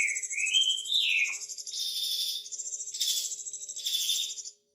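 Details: Wambi in continuous song with a lavish repertoire, used as a master recording for training birds. Rising whistles open, then dense buzzy, chattering phrases follow with little pause, over a faint steady low hum.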